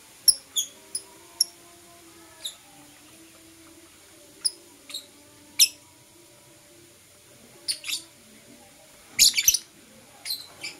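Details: Lovebirds, blue opaline and parblue euwing opaline, calling in the morning with brief piercing chirps, a run of four quick notes at the start, scattered singles after, and a harsh double burst near the end.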